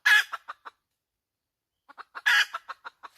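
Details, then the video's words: A hen gives a loud rasping squawk followed by a few sharp clucks, then after a pause a quickening series of clucks leading into another harsh squawk and more clucks. "Suab poj qaib tsauj dib tuaj zoo heev"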